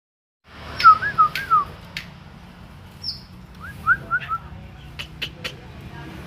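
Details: Cucak jenggot, a caged bird still untrained and not yet singing fully, gives a short run of clear whistled notes, three slurred descending phrases, a pause, then three more, with a few sharp clicks and a soft background hum.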